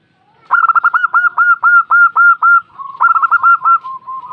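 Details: Female zebra dove answering: a rapid rolling series of clipped cooing notes, about a dozen in quick succession, then a shorter second burst trailing into soft drawn-out coos.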